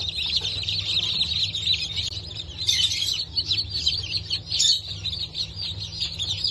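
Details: Newly hatched Brahma and Wyandotte chicks from a hatch dated 19 October 2024, a dense chorus of high, overlapping peeps with a few louder downslurred cheeps standing out, over a steady low hum.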